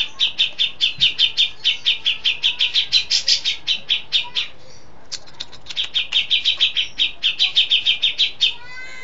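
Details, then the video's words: Grey-cheeked Bulbul (cucak jenggot), a settled, actively singing bird giving long-shot song with learned fill-ins of other birds' calls: fast runs of bright chattering notes, about six a second, in two long bursts split by a brief pause. "Cucak Jenggot Mapan & Gacor ( Long Shot Bird Song Cucak Beard )"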